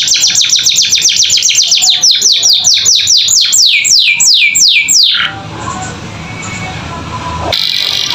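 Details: Vigorous canary training song: dense rapid chips give way to steady descending whistled slurs, then the song stops and soft hiss remains.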